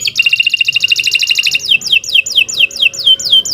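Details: Canary song used as a master recording to get other canaries singing, described as long, non-stop singing: a fast, even trill of buzzy notes, then a string of loud, descending whistled sweeps repeated about four times per second.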